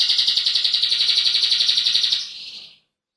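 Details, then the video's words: A male roller canary sings a continuous, high rolling trill of fast, even pulses, about four a second, for two seconds before it fades out. "roller male canary singing | تغريد فحل كناري رولر"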